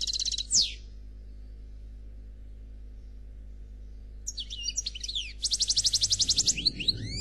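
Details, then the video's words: European goldfinch described as a black Khalwi goldfinch, singing a flawless song: a burst of rapid high twittering, a long pause, then tinkling notes that lead into a fast run of repeated buzzy trills. "Chardonneret Noir Khalwi Chant sans fautes"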